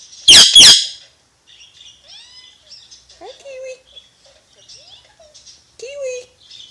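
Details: Alexandrine parakeet letting out two loud, rasping squawks, then quiet scattered chatter with a few short mimicked, whistle-like word sounds.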